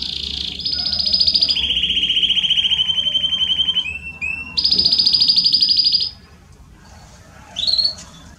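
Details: Belgian canary, apparently a singing male, sings long, fast rolling trills at high pitch, switching from one steady rattling tour to another, with a short rising chirp near the end.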